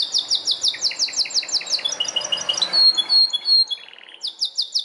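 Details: Belgian canary singing: rapid series of repeated descending high notes, then a trilled buzz and sustained whistled notes, ending with another fast repeated phrase.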